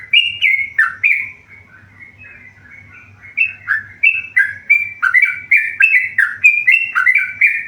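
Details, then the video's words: Tame yellow-vented bulbul in full song: liquid, warbling whistled phrases. A quieter, rambling stretch in the middle gives way to loud, quick slurred notes tumbling one after another. Faint low hum in the background. "burung trucukan gacor jinak"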